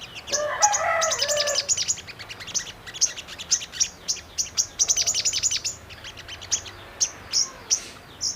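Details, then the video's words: Brown-throated sunbird song used as a lure to make birds answer and sing: rapid, high, thin chirps and trills, repeated several times per second with brief pauses. A lower, harmonic warbling sound opens the first two seconds. "Pancingan SOGON agar cepat Bunyi dan Emosi | Pasti Nyaut langsung RESPON Gacor"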